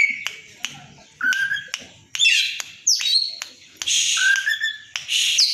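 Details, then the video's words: White-rumped shama, a kept fighter bird, singing its loud 'konslet' song with tail spread to stir up an opponent: sharp clicks, rising whistles and dense harsh chattering phrases in quick succession, with faint low noise behind. "suara kacer konslet, bikin geger lawan tarung,buka ekor"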